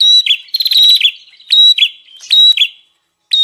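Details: Bar-winged prinia lure sound for wild birds: a few harsh buzzy trills and quick descending chips, with a thin whistle between them, then a short silence.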